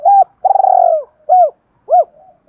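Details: Spotted dove, thổ-style voice, used to prompt a decoy bird to coo quickly: one short low coo, a long rolling purred note, then two separate rounded arched coos, clean and close.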